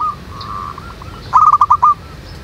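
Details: Wild local zebra doves in a lively chorus, meant to draw other doves into singing: faint cooing early on, then a short, loud burst of rolling, trilled coos near the end.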